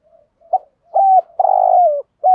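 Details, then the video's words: Decoy spotted dove calling in the thúc gù style to lure wild doves: a short soft note, then drawn-out mellow coos, one long falling phrase at the end, with quiet pauses between. "chim cu mồi bài bản THÚC GÙ bài bản nhất hiện nay, cu cườm bài bản dùng kích bổi hiệu quả. cu gáy"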